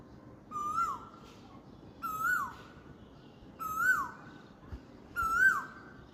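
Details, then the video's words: An Asian koel on a spring dawn gives four loud, clear, mid-pitched calls that swell and drop away, repeated about every one and a half seconds, over a soft hiss. "বসন্তের ভোরে কোকিলের সুমধুর কন্ঠ"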